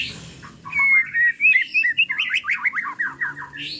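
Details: White-rumped shama ('pastol' murai batu) giving a lure song to stir emotion and draw out its repertoire: a clear whistle, then a long fast series of short slurred notes repeated in rhythm, ending in a harsh burst.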